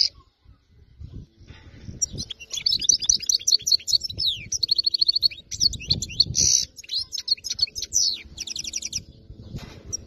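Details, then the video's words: Goldfinch, wild-caught in area 86, delivering a long, flawless tinkling song of rapid chirps, short trills and buzzy notes, with faint low background rumble. "تغريد حسون صيد خلوي منطقة ٨٦ خلي من الأخطاء"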